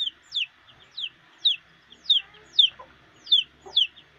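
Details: Chicks and their mother hen foraging for food: a chick gives high, sharply falling peeps, roughly two per second, with a soft low cluck from the hen now and then.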